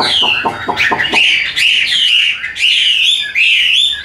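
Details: Hwamei, a captive songbird, opens with a burst of rapid clipped notes, then shifts into long sweeping whistled slurs that rise and fall smoothly, sung loudly and without a break.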